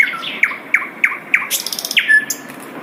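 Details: Wild Asian brown flycatcher giving a rapid sequence of falling high whistled notes about every third of a second, then a brief chattering burst and a final level whistle.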